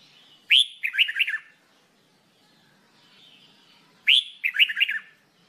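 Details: Red-whiskered bulbul in song training, repeating the same phrase twice about three and a half seconds apart: a sharp rising whistle, then a cheerful cluster of rapid warbled notes.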